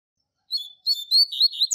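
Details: Opening of a Double-collared seedeater's Tui Tui Zel Zel classic tutor song for young birds: a short high note, then a run of bright whistled chirps, cut off mid-phrase.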